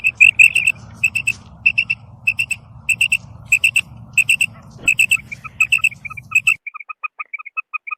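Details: Female common quail calling in a field: high, clipped notes in tight clusters of two or three, repeated about every half second. A low rumble stops near the end, leaving thinner, fainter notes.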